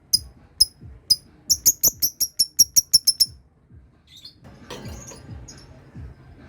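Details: Lovebird learning to ngekek, its trill triggering other birds: spaced sharp high ticks quicken into a rapid run of shrill chirps, then fade into scattered faint notes and rustling noise.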